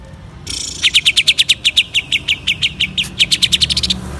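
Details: Caged greater green leafbird from East Java in energetic song: a long run of quick, evenly spaced, high whistled chips, about three per second, with faint low background hum.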